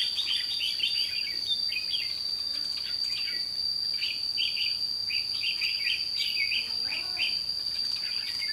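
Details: Red-whiskered bulbuls at a trapping site in Thanh Liêm, May 2016, giving their fighting song; quick clusters of bright warbled notes repeat through the clip over a constant shrill cicada-like whine.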